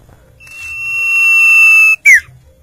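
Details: Common iora singing: one long, steady, drawn-out whistle held for over a second, then a quick loud downslurred note, with faint low background rumble.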